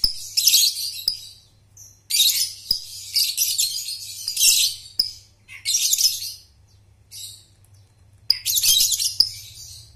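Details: Lovebird trilling (ngekek) used to teach young birds: repeated bursts of dense, harsh high chattering, each one to two seconds long, separated by brief pauses and single squeaks.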